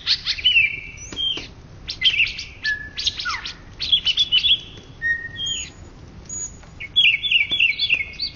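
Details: Indonesian champion greater green leafbird from 2013–2014 delivering a varied, high-pitched song: sharp chirps, short whistled notes, downward-sliding slurs and flat held whistles, ending in a quick run of bright trilled notes.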